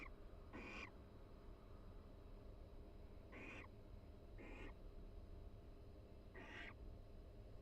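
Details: Mated barn owls in a University of Florida nest box during the breeding season, exchanging quiet calls and mutual preening; four brief raspy, breathy screech-like bursts spaced irregularly over a steady low background rumble.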